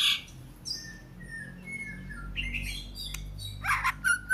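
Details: Oriental magpie-robin giving a few sparse, thin whistled notes and a short harsh burst, separated by quiet gaps, with a steady low background hum.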